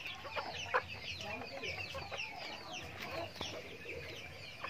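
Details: Backyard farm chickens during their daily routine while eating feed; many overlapping clucks and short squawks from the flock, dense chatter throughout with a few louder sharp calls.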